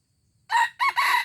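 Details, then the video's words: Junglefowl recorded in Aceh on 25 April 2020, giving a loud, short crow: one harsh note, a brief gap, then two linked buzzy notes, all within under a second, against near silence. "Ayam Hutan Aceh"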